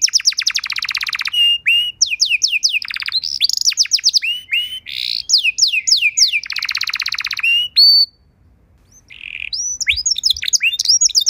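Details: Caged canary singing a tutoring song for other canaries; dense buzzy rolls alternate with quick falling whistles, a brief pause near eight seconds, then a soft buzz and renewed bright chirping.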